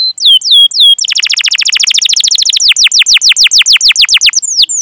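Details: Canary song meant to prompt young or silent canaries to sing: a few high falling whistles open into a long, rapid rattling trill of steep downslurred notes that gradually slows into distinct, evenly spaced chirps.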